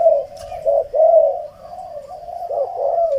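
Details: Spotted dove kept by a keeper: a continuous run of mellow, hollow coos, rolling and slightly wavering, with short swells repeated without a break. A woman speaks just before and after.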